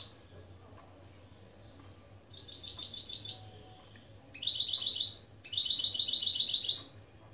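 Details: Mule of goldfinch and canary singing opening phrases as a tutor lesson: three rapid, even trills of repeated high notes, each about a second long, separated by brief pauses. Low background hum.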